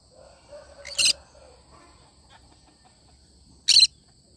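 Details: Two loud, raspy screeches from a cinnamon green-cheeked conure, each under a quarter second, spaced nearly three seconds apart, with soft low murmuring between them.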